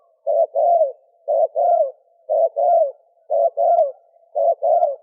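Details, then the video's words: Spotted doves, male and female, in a thổ kim cooing sequence for luring wild doves: five regular two-part phrases, a clipped coo then a longer downward-falling coo, repeated about once a second. "Tiếng chim cu gáy thổ kim kích bổi trống mái"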